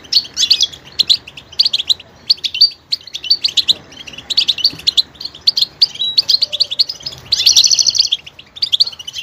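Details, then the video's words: Goldfinch song: continuous rapid twittering with many note types, dense chattering bursts, brief gaps, and a long buzzy rasping passage toward the end. "motivational ringtones that will take you on a journey with goldfinch"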